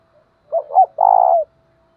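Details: Spotted dove kept as a decoy to lure others, voice described as 'thổ đồng'. One clear cooing phrase: a quick pair of curved hoots, a short gap, then a long steady coo sloping down at its close, with a faint background hum.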